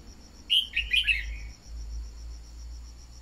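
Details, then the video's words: Red-whiskered bulbul song used as a lure to get other bulbuls singing quickly: a brief run of bright, warbled whistles, with a constant high insect-like buzz and low rumble behind. "Luyện giọng chào mào mồi-kích bổi mau hót"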